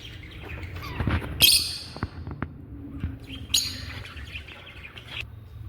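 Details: Angry African lovebirds giving two loud, harsh, rasping squawk bursts about two seconds apart, with faint chirps and low background noise between them.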